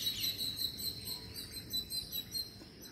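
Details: Green parakeets at feeding time give short, high chirps repeated rapidly, several per second, with a steady faint hiss of background noise.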